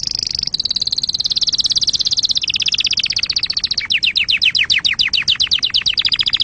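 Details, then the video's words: Canary singing for tutoring young birds and for breeding. Rolling high trills run without a break, slowing into separate sweeping downslurred notes repeated several times a second. "تغريد كناري أصلي لتعليم الفراخ وللتزاوج وتهييج طيورك"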